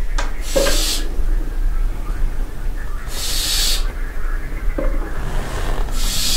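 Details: Barn owls in a castle dovecote at night at Barbirey-sur-Ouche: a barn owl gives three harsh, hissing screeches, each under a second long, spaced about two to three seconds apart, over a low background rumble.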